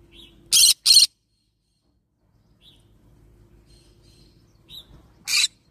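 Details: Harsh doubled squawks from a yellow-sided green-cheeked conure parrot, followed by a quiet stretch with a few faint high chirps and then one more rasping screech near the end.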